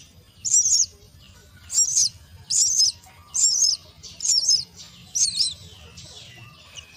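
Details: At the nest, myna chicks beg as they are fed, producing six loud, high, scratchy chirp bursts about every 0.8 seconds, then trailing off.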